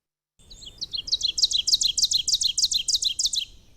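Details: Ovenbird song on forest breeding grounds in spring migration season, southern Michigan: a rapid, ringing series of about a dozen two-note 'teacher' phrases, building in loudness over three seconds, echoing and hard to pinpoint, over faint low rumble.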